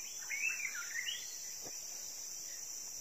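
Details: A wild white-rumped shama at a roadside in Indonesia, early morning, gives a quick, varied warbled phrase of rising and falling whistles lasting about a second, over a steady high insect drone, responding to a call.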